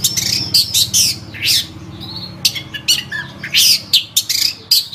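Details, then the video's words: Energetically singing cendet, the long-tailed shrike, recorded as a tutor for songbirds: loud rasping squawks and grating bursts in quick clusters, broken by brief thin whistles, with a soft low hum behind. "Suara Burung Cendet | Gacor"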